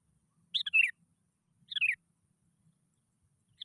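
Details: Lure recording of a Sooty-headed bulbul, meant to coax other bulbuls into song: two bubbly, downward-slurring phrases about a second apart, the start of a third, over a faint low rumble.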